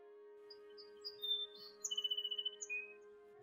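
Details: Song Sparrow in Ontario, Canada, a species that keeps singing well into summer to hold nesting territory for two broods: a few high, clear introductory notes, a quick trill of about ten notes and a lower buzzy ending, over a musical drone.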